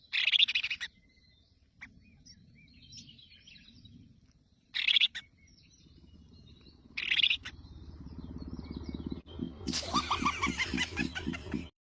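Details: Freshly hatched Crested finchbill chicks in the nest, fed by their mother, give three brief bursts of harsh, high, buzzy begging calls, then a rapid, continuous chattering frenzy, over a low rumble.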